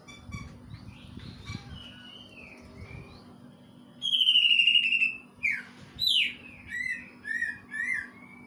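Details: Greater green leafbird song with kingfisher mimicry, soft warbled notes leading into a loud rattling, falling whistle, then a run of short downslurred and chirped notes, with a low hum throughout.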